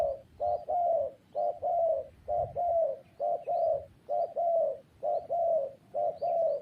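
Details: Spotted dove calling in a very even rhythm. Each phrase pairs a short coo with a longer, mellow, slightly falling coo, repeated about once a second across the clip.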